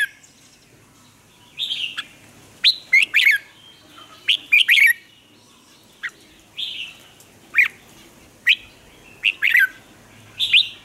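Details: Red-whiskered bulbul lure song from Vietnam for training caged birds. A long run of short warbled phrases and sharp slurred whistles, repeated roughly every second, amid a soft murmuring background.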